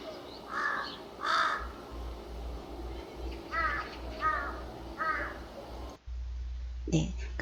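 A crow gives five harsh, hoarse caws, two and then a run of three about a second apart, over a faint voice and a low hum.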